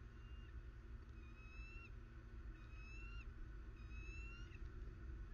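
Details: Southwest Florida bald eagle on 21 December 2019 giving three level, reedy whistled notes that tilt upward at the close, roughly one per second, with continuous low-frequency rumble and a soft steady hum behind.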